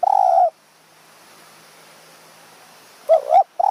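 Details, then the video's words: Spotted dove in high forest of Kanchanaburi, Thailand, lured with a decoy bird in the evening. A long, level coo ends, silence follows, then a wavering double coo and the start of another phrase. "ต่อนกเขาใหญ่ป่าสูง เมืองกาญ | หมายเสียงเล็ก คารมจัดจ้าน"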